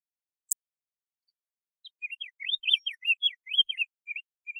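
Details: Brief diademed tanager song phrase: a sharp click, then a hurried string of bright whistled up-and-down slurs, ending with two softer level notes.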